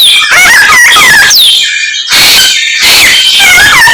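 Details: Greater racket-tailed drongo (samyong) in full voice, its song packed with imitations of many garden birds: loud, fast-changing whistles, sweeping glides and rising notes, with a brief pause before the varied phrases resume.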